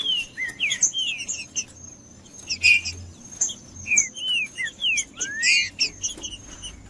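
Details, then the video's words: Green-winged saltator, known locally as trinca-ferro, singing to warm up rival males; clear whistled phrases of downslurred and upslurred notes in separated bursts, mixed with sharp high chipping notes and a constant faint high whine. "Trinca-ferro Macheando com Trinca ferro cantando Para Esquentar Trinca ferro"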